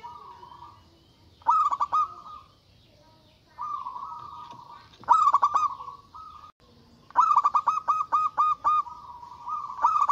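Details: Local zebra dove singing actively with a loud, big voice to provoke rivals: drawn-out mellow hoots alternate with three phrases of fast punchy coos, the last a long run of about seven notes.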